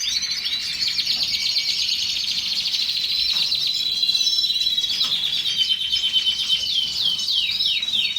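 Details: Canary in steady song: a long, high warbling stream of quick trills and twittering notes, with sweeping rising and falling chirps toward the close.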